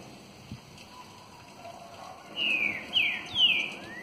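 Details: Green-winged saltator, called a true trinca-ferro, giving three loud descending whistled notes in quick succession after a quiet stretch of low background noise, followed by a short rising note at the end.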